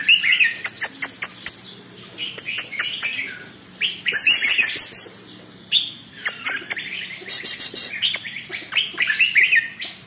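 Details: Caged red-whiskered bulbul singing: bursts of bright, warbled chirping phrases with sharp clicky notes, broken by short pauses, plus a couple of rapid, very high buzzy trills from another bird in the background.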